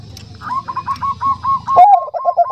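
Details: Bangkok-type zebra dove with a soft voice, described as a female calling to a male: a rapid run of about a dozen short, mellow cooing notes, rolling and evenly spaced, with a louder accented note near the end, over low background rumble.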